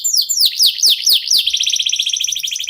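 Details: Local canary song meant to set other songbirds singing and teach contest birds: five loud downslurred whistles followed by a fast, rolling trill held to the end.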